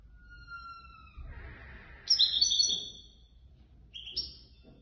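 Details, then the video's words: European goldfinch ranked third in a Casablanca bird club's singing competition; thin drawn-out whistles, then a loud buzzy twittered burst and a short high repeat, with a low rumble of background noise. "الحسون الفائز بالرتبة الثالثة في المسابقة"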